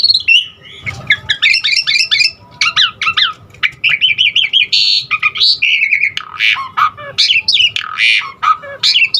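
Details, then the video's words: Asian pied starling delivering a varied 'isian' song meant to stir other starlings into singing: rapid chains of whistled, rising and falling notes, buzzy bursts and harsh squawks, shifting phrase every second or so. "Jalak Suren Aneka Suara Isian Uniknya Bikin Burung Jalak Manapun lkut GACOR Full Isian VARIASI"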